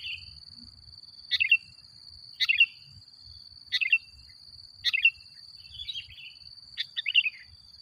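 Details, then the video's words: Sooty-headed bulbul lure recording meant to agitate other bulbuls: six short chirpy phrases of bubbly notes, repeated roughly every second, with a constant thin high whine behind them. "Suara Burung Kutilang Gacor Paling Ampuh Untuk Pancingan"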